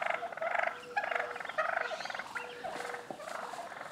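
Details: Wild turkey toms jousting in a residential yard in Mendocino County, California; dense, rapid rolling gobbles follow one another almost without pause, over a faint steady low tone.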